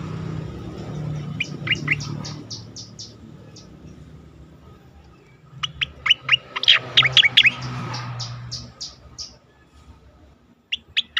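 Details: Asian pied starling song from a recording for training competition birds. Faint high chirps in the opening seconds give way to a louder, jumbled burst of squeaky notes and whistles, then quieter notes near the end. Background rumble throughout.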